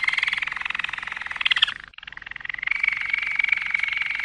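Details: Malinois canary song of rapid rolling trills at a steady mid pitch, a short silent break near two seconds, then the bubbling roll resumes and continues evenly.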